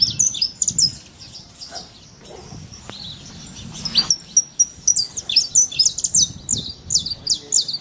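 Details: Wild saffron finch song in natural surroundings: bright, high chirped notes in clusters, a brief pause with a thin whistle midway, then a dense run of quick sharp tweets to the end.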